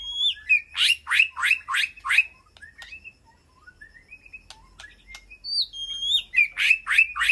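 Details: White-rumped shama in a peaceful aviary, calling to its flock: a fast run of loud, rich downward-swept notes, a quiet stretch of soft rising whistles, then another quick burst of bright descending notes.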